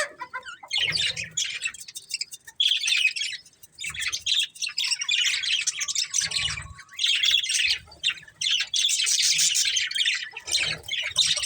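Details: Budgies of a breeding pair keep up a long, lively stream of high scratchy warbling broken by brief pauses, with a faint whistle midway and occasional low knocks.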